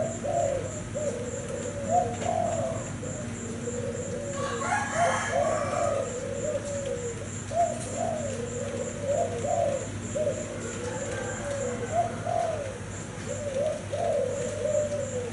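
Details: Caged cream-plumaged Thai-type spotted dove cooing repeatedly: soft, hollow, low phrases of several linked notes, returning every few seconds, a rooster crowing briefly in the middle and a rhythmic high ticking behind.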